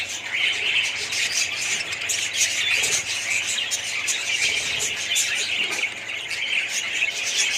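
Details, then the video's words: A colony of budgerigars fills the air with dense, continuous chattering: overlapping warbles, chirps and squeaky notes from many birds at once, with no pauses, steady and loud throughout. "budgies parrots colony"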